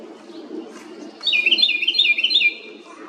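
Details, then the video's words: A little house wren calls loudly, giving a fast, high, jittery trill of rapidly repeated notes for over a second after a quiet start with soft low rumble. "A little bird(house wren) makes a LOUD noise. 작은 새가(굴뚝새) 큰 소리를 내네요."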